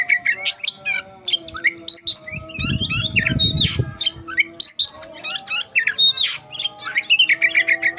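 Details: In fight mode, an Oriental magpie-robin delivers an intense, continuous stream of whistled and chattering notes, harsh buzzes and quick trills, with a brief low rumbling noise midway and a faint steady hum.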